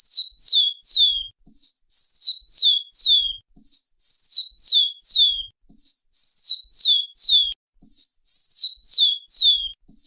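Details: Rufous-collared sparrow singing clear whistled phrases: a steady high note, then two or three slurred notes that rise and then fall, repeated about every two seconds with brief pauses between phrases.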